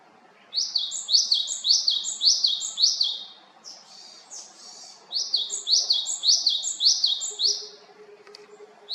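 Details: Japanese tit in Haenam, South Korea, giving two bursts of five or six high, ringing notes separated by a softer, scratchier phrase, with a faint low hum late on.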